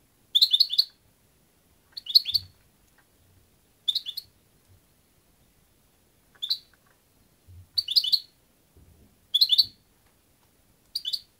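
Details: European goldfinch producing clusters of rapid, high, liquid twitter notes, seven bursts over eleven seconds, alongside faint low knocks and rustles.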